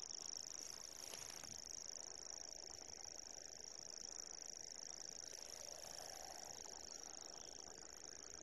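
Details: Reeling song of a common grasshopper warbler, phonescoped near Doncaster, South Yorkshire: a continuous, high, even, cricket-like reel sustained without pause, over faint low background rumble.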